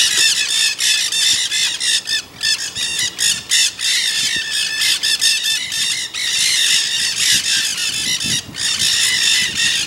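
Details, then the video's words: Several Nanday parakeets chatter harshly in the Santa Monica Mountains, Greater Los Angeles, California, on 24 October 2020: screechy, overlapping squawks in rapid bursts, almost without pause. "Nanday Parakeets Chatting"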